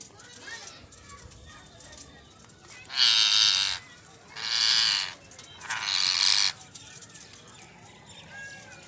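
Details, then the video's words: Ringneck parrots calling naturally: three loud, harsh screeching bursts, each about a second long, at three, five and six seconds, over quiet background hiss. "Parrot voice || Natural Sound Ringneck Parrots"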